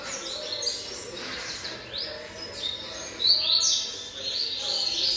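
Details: Seven-month-old young double-collared seedeater singing very fast: quick high whistled notes and sliding phrases, bursting in short clustered runs with brief gaps between them.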